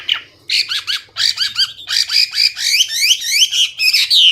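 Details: Loud, clear Hwamei song mixing looping whistles and harsh notes, building into a continuous, rich warble of rising and falling slurs.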